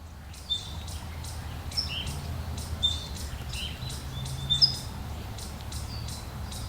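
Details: Wild towhees of two kinds and a Bewick's wren giving alarm calls on a hillside outside Los Angeles: thin, high chips and short whistled notes repeated irregularly over a low, steady background rumble.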